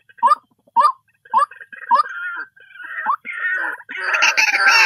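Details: White-breasted waterhen calling: a run of short, upward-curving croaking notes about twice a second, then merging into a longer, louder, harsher stretch of overlapping, rasping, braying notes toward the end.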